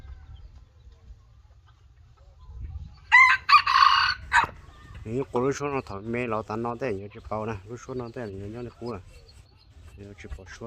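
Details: Decoy rooster of the red junglefowl, Laos: one loud, rasping, hoarse crow of about one and a half seconds, followed by a long stretch of male talking with a low hum underneath.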